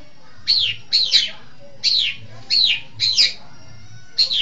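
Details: Training lure of a long-tailed shrike: separate downslurred, squealing notes, single or doubled, spaced roughly half a second to a second apart, with steady background hiss.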